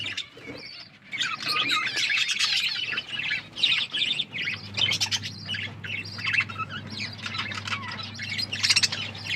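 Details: Several pet budgerigars chirping while eating food: a continuous run of bright, scratchy warbles and quick tweets with sharp clicks, rising and falling in loudness, over a faint steady hum.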